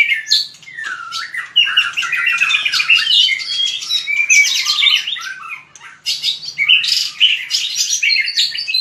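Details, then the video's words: White-rumped shama performing fighting song for voice training: nearly nonstop loud, dense warbling with chattering and squeaky notes, one short break midway, then more jumbled bright phrases. "Luyện chòe lửa hót đấu/luyện giọng chòe lửa/kích lửa shama bird"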